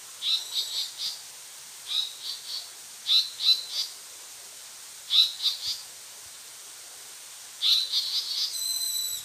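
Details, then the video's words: Male Japanese paradise flycatcher at Nojasan giving alarm calls: harsh, scratchy notes in quick bursts of three or four, repeated every couple of seconds, with a brief higher ringing tone at the end. "긴꼬리딱새 경계"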